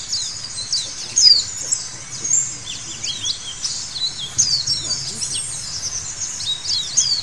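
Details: White-eyes in a training track meant to get birds singing freely, with dense high-pitched twittering and quick down-slurred chirps overlapping throughout, several voices at once, over a faint low hum.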